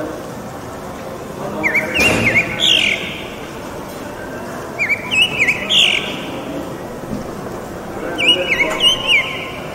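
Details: Northern mockingbird visiting a home neighbourhood in Bogotá during the quarantine, singing short whistled phrases, each quickly repeated two or three times, in bursts separated by pauses, over steady urban traffic hum.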